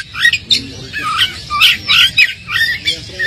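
A lively Oriental magpie-robin song: quick, varied whistles mixed with harsh, scratchy squawks, delivered in rapid bursts about every half second.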